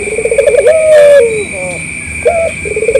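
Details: Eager local puter, the collared dove, used as a lure so other doves reply. A rapid stuttering run of notes leads into a sustained level coo that slides downward, then a short clipped note and another rolling run. Constant high whine throughout.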